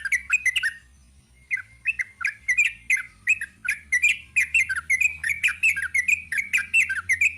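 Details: Sooty-headed bulbul giving a long 'ropel' song: a burst of chattering notes, a short pause, then a fast run of bubbly, slurred phrases dipping and rising, each repeated several times a second, over a faint low hum.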